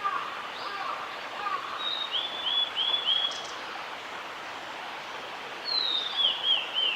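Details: Male blue-and-white flycatcher song from Oiso town, Kanagawa, Japan, 11 June 2016: high clear whistles break into a run of quick slurred notes, followed after a pause by a descending, rippling phrase; faint low murmuring sounds early on.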